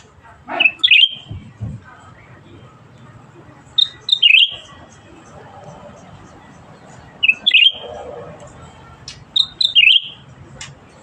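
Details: Black-headed Bulbul singing actively, with four short whistled phrases that rise and dip quickly, spaced roughly three seconds apart, over light background noise.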